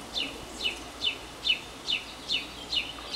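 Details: Northern mockingbird in a long singing cycle from a porch; a crisp downward-sweeping chirp repeated evenly about every half second, seven times, against a quiet background.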